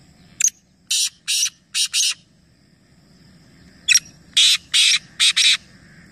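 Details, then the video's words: Black francolins calling together in a competition at Nawabshah, Pakistan; two phrases about three seconds apart, each a click followed by four coarse, scratchy, buzzy notes, the final pair run close together. "Teen Teeter Ek Sath Awaz Competition | Black Francolin"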